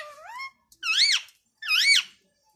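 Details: Pet ringneck parrot indoors in a small room: three loud harmonic squawks, first a rising-then-flat whine, then two arched, rising-falling shrieks about a second apart, with brief silences between.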